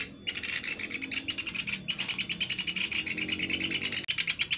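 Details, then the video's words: Sunda pygmy woodpecker, used as a lure call, giving a high, dry trill of rapid ticking notes, run on almost without pause, with one brief break. "Suara Burung caladi, pikat pelatuk beras"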